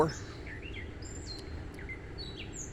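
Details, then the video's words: A backyard gray catbird sings at sunset on 9 June 2024 from its usual perch in a tree. A loose string of brief whistled and chirped notes jumps between pitches, with a voice at the very start and constant low hum. "Cat Bird Singing @ Sunset"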